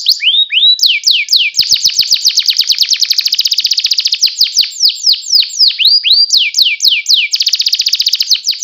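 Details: Canary song, loud and continuous: rapid rolled trills of high notes alternating with repeated down-slurred whistles, about four notes a second, with faint clicks beneath.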